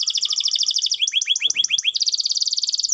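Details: Canary song used to stimulate lazy canaries: a rapid high trill, a series of rising sweeping notes, then another fast bright trill ending in a downward slur.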